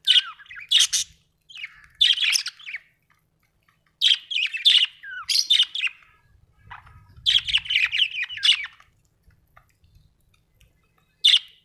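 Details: Cheerful budgie warbling in repeated bursts of scratchy, chattering chirps and short whistled slides. The bursts come every second or two, with a faint low rumble in the background.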